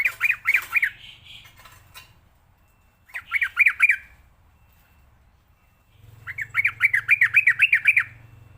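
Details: Sooty-headed bulbul song from a training recording for young birds: bursts of fast, bouncy chattering notes, about four per second, in three runs separated by pauses, with a low hum underneath.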